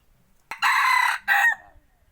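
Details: Selected decoy rooster used for forest hunting, crowing one loud hoarse cock-a-doodle-doo: a long strained middle note after a sharp start, then a shorter tailing note fading out, on a quiet background.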